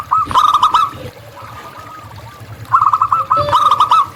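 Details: Local wild zebra dove singing in nature: two bursts of rapid, vibrating cooing notes at a steady mid pitch, separated by a quieter stretch with a faint low murmur underneath.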